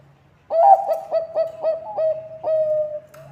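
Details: Zebra dove, Bangkok type, singing actively for use as a lure for other doves: a sudden start, a quick run of ringing coos, then two longer held notes; a low steady hum runs underneath.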